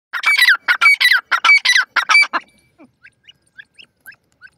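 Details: Grey francolin (teetar) calling: loud, harsh, ringing notes with strong overtones, delivered in a rapid run of about ten notes over two and a half seconds, then trailing off into faint, scattered high chirps.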